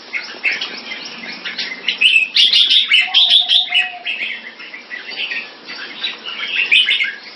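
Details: Competition Red-whiskered bulbul kept in Singapore, in display: bright, rapid chirped phrases with a loud pulsing peak, a brief steady whistle tone in the middle, then softer warbling and a final high flourish.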